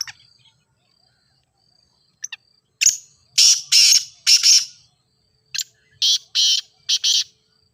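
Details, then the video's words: Grey francolin (ghogha teetar) calling, used for training other francolins to call: a faint high tone, then a run of harsh, grating bursts in pairs and threes, repeated roughly twice per second with short gaps. "Teetar Voice for Calling"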